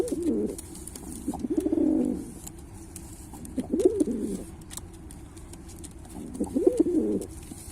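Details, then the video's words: A Pilkha domestic pigeon gives low, rolling coos in four short bursts about two seconds apart, with faint background hiss. "Pigeon Sound Effect"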